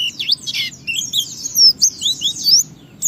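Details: White-eye song meant to goad other white-eyes into singing: sweet high warbled phrases with rising and falling slurs and a few sharper chirps.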